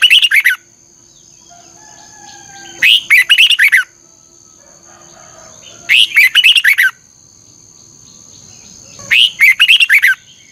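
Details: Red-whiskered bulbul used as a training lure, singing its morning 'chè căng lửa' song in a double-twist voice: four evenly spaced bursts, each about a second of rapid, buzzy-bright warbling, roughly every three seconds, over a steady high tone.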